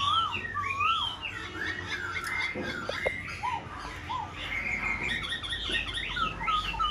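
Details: Wing- and tail-fanning Black-throated laughingthrush delivering looping, wavering whistled notes that rise and dip, mixed with a few sharp clicks and taps, over a low background hum.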